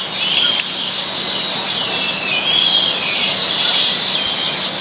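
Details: Steady high sizzling chatter from a flock of baya weavers feeding in a house garden in India, with a few whistled notes that dip and rise through the chorus.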